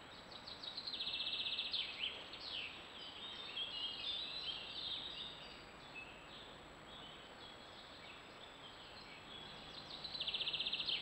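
Song thrush calling: a busy run of sharp, high chirps and short notes in rapid succession, with a steady high hiss in the background.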